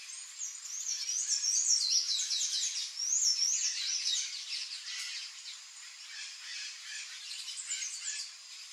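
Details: Palm tanager singing a high, squeaky, rapidly twittering song of looping slurred notes in bursts, fading to softer chatter toward the end; low sounds are absent and the background is quiet.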